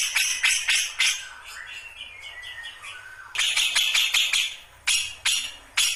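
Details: Cucak jenggot (grey-cheeked bulbul) just beginning to ngombyok. Harsh chattering bursts, then a quieter stretch of soft descending whistles, then loud rapid rasping notes resume in spaced bursts.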